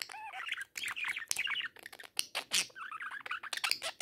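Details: A budgerigar talking to a mirror chatters busily, mixing warbled notes, clicks and scratchy squawks in a rapid stream.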